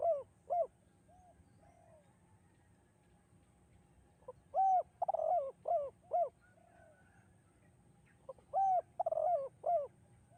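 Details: Spotted dove singing the echoing, melodious 'kuk 2' style: two short coos, a long gap, then two full phrases of arched coos around a trilled, rolling middle coo, with quiet between.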